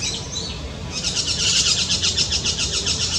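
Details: White-winged parakeet, Brazilian Amazon: high, harsh chirps form a fast, pulsing chatter, roughly four notes a second, beginning softly and then rising to a steady, insistent stream over faint background rumble.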